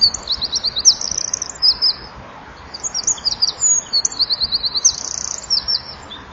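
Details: A winter wren giving a powerful evening song in January twilight, 17:33, wings fluttering as it sings, filmed by a nest-wall camera; a fast chain of high rattling trills and thin, piercing notes with brief gaps between phrases.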